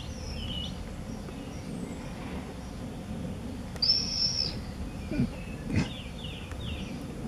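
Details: Common swift at the entrances of observation nest boxes in a house in Beek-Ubbergen, Netherlands, on 8 June 2014; one sharp, high, buzzy scream lasting about half a second, with faint chirping and low background rumble.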